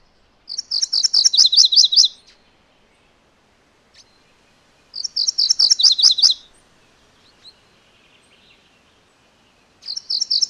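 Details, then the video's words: MacGillivray's warbler repeating its song three times, roughly every four to five seconds, each phrase a fast series of high paired chirps stepping down to lower chips, with near silence between. "MacGillivray's Warbler Song ! MacGillivray's Warbler Sounds ! MacGillivray's Warbler Call"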